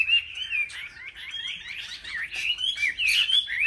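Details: Chinese hwamei in competitive singing, a caged bird from a market collection: rich, varied warbled phrases with rapid slurred whistles and fast trills, continuous and overlapping, possibly more than one bird.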